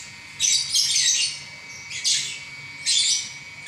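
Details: Lovebird singing non-stop with loud, harsh, grating chirp bursts, a longer scratchy phrase followed by two shorter squawky bursts.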